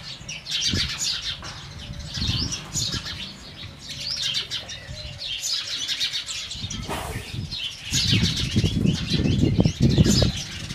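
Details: Chattering house sparrow: rapid, clustered chirps repeated over and over, loudest in the first half, then joined by a burst of broadband noise and heavy low thumping toward the end.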